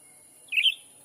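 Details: Black-capped bulbul lure call used to attract wild birds in a Sumatran forest: a single short, bright double chirp, rising slightly, with a steady high electronic whine in the background.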